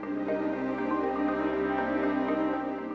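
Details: Soft, sustained ambient music with steady held tones and no animal sound.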